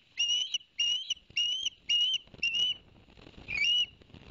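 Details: Osprey calling at Barnegat Light, New Jersey, captured by a live cam on 11 September 2021, around a delivery of two fish to the young: six loud, clear, slightly rising whistled notes in steady rhythm, about two per second.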